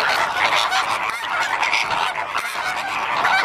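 A flock of flamingos keeps up a dense, continuous goose-like honking and gabbling, many nasal calls overlapping with no pause.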